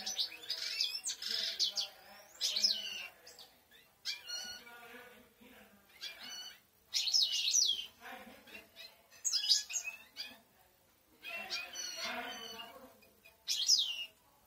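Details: Goldfinches in song, a run of fast high twittering phrases and liquid chirps with short gaps, some bursts louder than others, over faint low background noise.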